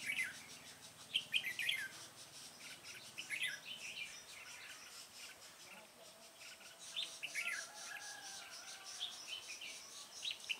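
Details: Red-whiskered bulbul recorded while being trapped: lively bursts of rapid chirped phrases separated by pauses of a few seconds, against a steady buzzing, insect-like background.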